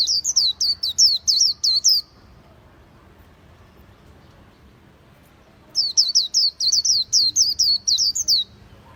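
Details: Khuyen bird singing two separate bursts of rapid, high-pitched down-slurred whistles, with a long quiet pause of several seconds between them.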